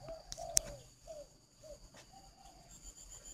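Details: A captive spotted dove at a breeding aviary in Ba Vi, Hanoi, practising its cooing gives soft, low, hesitant coos, five or six brief notes spaced unevenly, with a sharp click and a faint high insect hiss behind.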